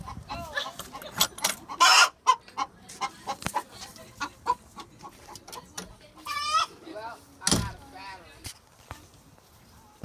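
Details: Backyard chickens, one of them loud, clucking in quick irregular bursts with a few harsh squawks and wavering drawn-out calls, voices overlapping amid light rustling.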